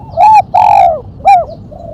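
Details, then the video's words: Spotted dove in the sharp 'mercik kuk 1' style, used for luring and training: a loud, close phrase of three arched coos, short, long, then short, in clean quiet surroundings. "Burung tekukur suara MERCIK kuk 1 tajam"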